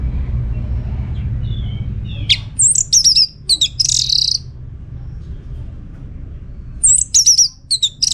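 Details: Orange-headed thrush in lively song from Singaraja, North Bali, meant to draw replies from other birds: a burst of high sweet whistles and a harsh scratchy note, silence, then another short whistled phrase, over faint rumble.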